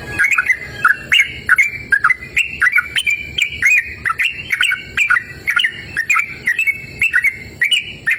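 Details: Persistent song of a yellow-vented bulbul in open, cool natural surroundings: a continuous run of chirpy whistled slurs, each falling and then rising, delivered rapidly for several seconds.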